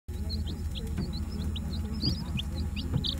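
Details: White Leghorn chicks, only one to two days old, on a northern Florida homestead: scattered short high peeps, some arched or slurred, come at uneven intervals over a steady low rumbling hum.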